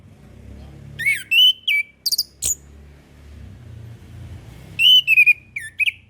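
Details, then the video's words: Orange-headed thrush singing in a master recording meant to prompt young birds to sing: two bursts of fluty whistled phrases with sharp high chips, over a steady low background hum. "MASTERAN SUARA ANIS KEMBANG KHUSUS UNTUK ANIS KEMBANG BARU BELAJAR BUNYI"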